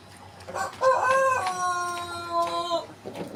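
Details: White Pelung rooster crowing: after a short rough start, one long drawn-out harmonic crow held steady for about two seconds, then dropping slightly before it breaks off, with faint background noise.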